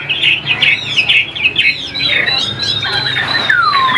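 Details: Caged Chinese hwamei song: a series of quick warbled whistles followed by longer, smooth sliding notes, one falling clearly at the end.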